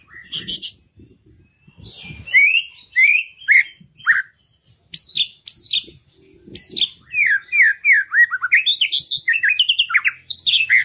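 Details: White-rumped shama song meant to encourage birds that rarely sing: loud whistled phrases with downward slurs, growing into a long rapid chain of varied rich notes, with soft low rumbling in the background.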